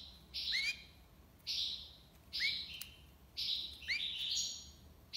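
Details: Goldfinch tiwawati song: four buzzy phrases about a second apart, each with a brief rising twang underneath.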